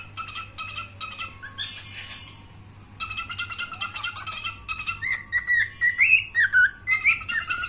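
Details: A male cockatiel gives bright chirps and warbling whistles, some rising and falling in quick succession.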